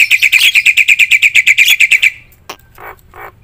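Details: Loud Javan myna in full gacor song meant to stir other mynas into singing: a fast run of about fifteen sharp chattering notes, then a pause with a couple of short raspy calls.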